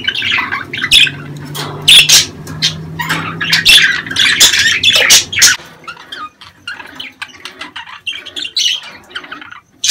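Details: Budgerigar mating-season calls, used to stimulate breeding. Loud squawking chatter fills the first half over a steady low hum, then thins into softer, scattered chirps.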